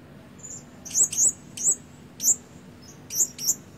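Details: Blue-crowned hanging parrot (Loriculus galgulus), used as a lure call for trapping, gives about six very high, thin, sharp squeaks at uneven intervals over a few seconds, with a faint low hum behind.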